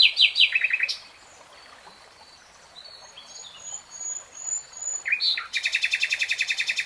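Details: Nightingale phrases: a loud descending flurry of notes, a hush with faint high whistles, then a sweeping note leading into a rapid, even, clicking series.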